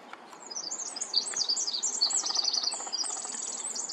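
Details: Pacific wren (Troglodytes pacificus), tiny but loud, singing in San Francisco, California: a long, rapid song of high tinkling notes and fast trills, tumbling continuously without pause over faint background hiss.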